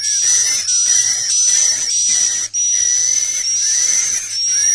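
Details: Swiftlet call in the 'inap plus' roosting lure style for indoor speakers: continuous high, buzzy, hissing chirrs overlaid by a thin whistle, in phrases under a second long with short breaks.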